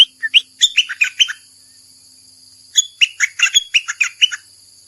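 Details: Bulbul's mate-seeking song from 28 May 2021: two lively bursts of rapid chattering, warbled notes about a second and a half each, separated by a brief silence, with a constant thin high background hiss.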